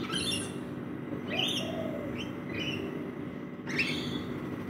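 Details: Backyard rainbow lorikeets at a feeding spot utter four or five shrill, rising screechy notes at irregular intervals, while a soft low coo and constant background murmur run beneath.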